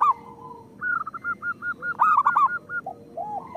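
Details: Zebra dove singing as a lure for lazy doves: a brisk run of evenly spaced, clipped coo notes rising into a loud bubbling burst, then a few soft, lower coos.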